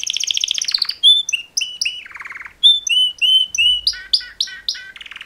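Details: Two male canaries singing a mating song, championship training song: fast trills and rattles give way to clear whistled notes, then a string of short sliding phrases repeated several times a second, closing with buzzy rolls.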